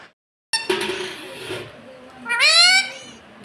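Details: Pet parrot talking indoors: a spoken-sounding phrase followed by a loud, harmonic, rising-then-falling squawk-like vowel.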